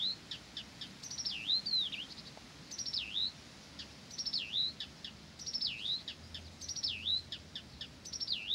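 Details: Blyth's reed warbler singing on and on, repeating a looping V-shaped whistled phrase about every 1.5 seconds, each preceded by soft clicks.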